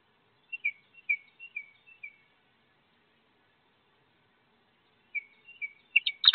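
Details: Wood duck ducklings, thirteen in all, jumping from a nest box about 15 feet off the ground to join their mother and walk to a river. Clear, high, downslurred peeps come in a quick series, pause, then return and end in sharper, louder notes.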